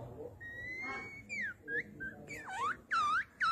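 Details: White-rumped shama of the Bornean gembung type, lively full song used as a lure to stimulate stalled shamas: a long level whistle, then looping slurred whistles rising and falling, over a low background hum.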